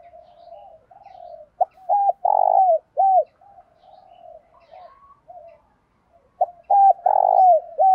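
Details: Spotted dove cooing in the wild-caught 'bổi' full-routine style, played to prompt caged doves to coo: two phrases of mid-pitched hollow coos, each a quick stuttered lead-in, then a loud drawn-out note and a falling final coo, with soft murmurs between.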